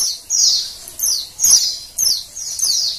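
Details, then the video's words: Oriental white-eye female calling to prompt males into song: bright, high descending chirps, about five in three seconds, each a quick downward sweep, fairly regular. "suara PLECI BETINA penggacor PLECI JANTAN"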